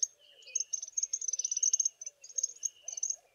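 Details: Small group of African firefinches sitting in the sun on a chilly morning, giving high, thin twittering notes in quick runs, with short pauses between bursts and a softer lower warble underneath.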